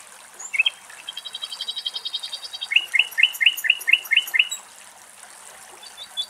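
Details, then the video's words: Common nightingale singing in Greek nature. A brief high note opens a series of rapid, evenly repeated pulses. A short pause follows, then a run of louder, paired chirping notes repeated about eight times before quiet returns. "Αηδόνι Κελάηδημα - Dragonfly and Nightingale Song"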